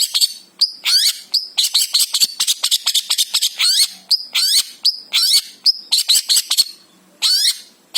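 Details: Long-tailed shrike (cendet) of Java, a vocal 'gacor' bird with a 'full isian' song. A dense, varied stream of sharp chips, down-slurred notes and short clear whistles runs almost without a break, followed by a brief pause and a final burst.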